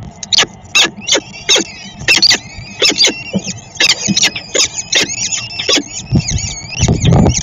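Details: Peregrine falcon feeding in Szczecin, Poland, 22 April 2021: rapid, wavering squeals layered over one another, broken by sharp rhythmic clicking bursts about once a second, with a low rumble at the end.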